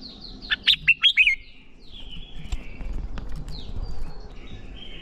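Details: Red-whiskered bulbul song used to train young birds into fiery competitive singing: one brisk phrase of four or five sharp warbled notes, then quiet background with faint chirps and thin whistles.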